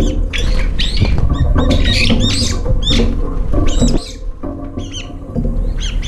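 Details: Brown-eared bulbuls arriving late at a nearly empty feeder bowl, crowding in and scuffling over the last food. Harsh, squealing calls are repeated in quick bursts through the first four seconds and are fainter afterward, over a strong low rumble.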